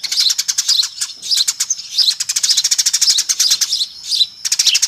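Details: Noisy lure call of a Eurasian tree sparrow flock, a near-continuous chatter of rapid, sharp, high chirps with a short lull near the end before the chorus resumes.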